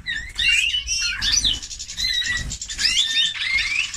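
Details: Eurasian bullfinch song of continuous twittering: sweeping whistled slurs mixed with rasping, creaky phrases and thin high notes, steady and unbroken, over a faint hum.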